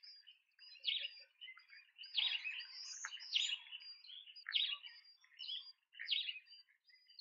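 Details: Large speckled pigeon chicks being fed at a nest in Pretoria, South Africa, on 28 September 2024, picked up by a nest camera: high squeaky chirps in irregular bursts about every second.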